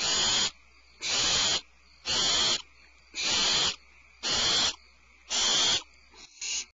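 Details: Barn owls at Starr Ranch on February 22, 2012, as the mother brings a supplemental rat to the nest. Seven rhythmic, harsh hissing screeches, about one per second, end with a couple of weaker, clipped bursts.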